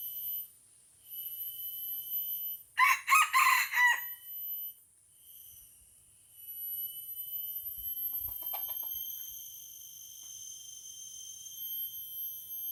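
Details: Red junglefowl in Aceh facing a decoy rooster in a fierce fight; a single loud, raspy crow of quick stuttering syllables rings out over constant shrill insect buzzing, followed by faint thuds and rustles.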